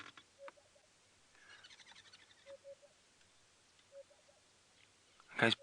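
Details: Male African Hoopoe at Djuma Game Reserve, sunrise around 6:30 AM on 12 November 2016, puffing up his neck to give soft, low hollow "whoop" hoots in pairs and triplets, looking for females; faint twittering and a sharp knock.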